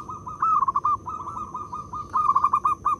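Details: Local zebra dove calling loudly as a decoy to stimulate other perkutut: nearly continuous chains of rapid, slightly trilled coo notes in several runs, with a constant thin high tone in the background.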